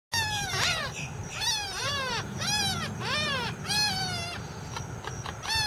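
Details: Purple Gallinule family with a chick at South Lake Howard Nature Park, Winter Haven, Florida. The adults call to their baby with a run of nasal, arched calls that rise and fall about one a second, over a low background rumble.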